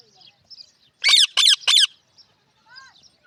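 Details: Pet parrot in Pakistan: three loud harsh raspy squawks in quick succession, with faint scattered chirps before and a soft slurred whistle after.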